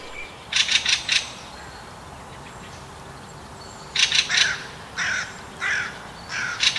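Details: Fieldfare chattering at night after midnight in central Russia, part of a chorus: harsh, rattling chatters in short bursts of three or four high, scratchy notes, with pauses between groups; faint background hiss.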